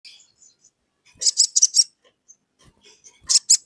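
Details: Sogon singing actively to call a rival and provoke another sogon into song: short bursts of four high, buzzy notes, then a pause and a second pair of sharp notes.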